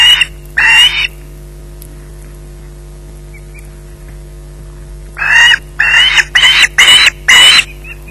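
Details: Osprey at its nest at Loch Garten, holding a fish at 20:33, screeching: two harsh, grating calls, a pause of about four seconds, then a quick burst of five more rasping screeches. Steady low hum underneath.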